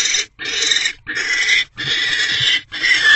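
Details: Inside a barn owl nest box at night on 20 January 2024, the pair mate after the male arrives with food. Rough, rasping screams in bursts of about half a second, separated by very short breaks.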